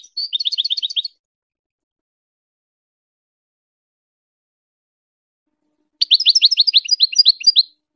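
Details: A goldfinch's rapid trilled twitter, used for teaching hybrid chicks, heard in two bursts of quick repeated high notes separated by about five seconds of silence.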